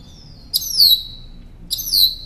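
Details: Northern mockingbird, recorded as a tutor for caged songbirds, giving a high clear note that slides downward, sung twice about a second apart.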